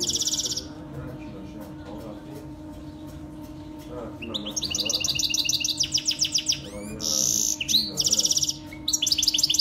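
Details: Saira canary in full song, played to train baby canaries to sing. After a steady background hum with one brief high burst, rapid rolling trills and chattering high phrases take over in the second half.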